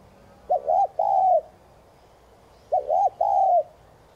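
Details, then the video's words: Spotted dove thúc gù cooing, used to stimulate other doves. Two mellow phrases about two seconds apart, each made of a quick double note followed by a longer, steady, low croon that trails off. "Chim cu gáy THÚC GÙ kèm bổi kích bổi nhanh nổi hiệu quả.cu gáy Thúc Gù kích bổi căng lửa gáy ngay"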